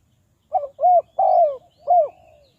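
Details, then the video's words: Spotted dove kept as a decoy for trapping wild doves gives one phrase of four low coos: a short clipped note, two fuller rounded coos, the longest sliding downward, then a final falling coo. "Tekukur Pikat"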